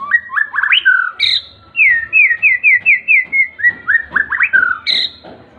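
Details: Young white-rumped shama, seven months old, singing in the soft ngriwik style: varied whistled phrases, then a run of about eight quick, rolling, repeated notes at an even mid pitch, closing with rising and falling whistles.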